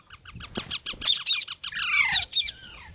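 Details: Green parrot producing a quick, regular train of short, clipped squawks that runs into a longer, wavering, buzzy screech with a few more sharp notes at the end.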